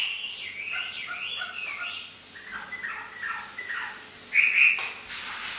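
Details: Hwamei trained for 'hót thả' free singing in northern Vietnam, heard a little distant: soft whistled notes and slurred phrases, ending with a brief, louder sharp note.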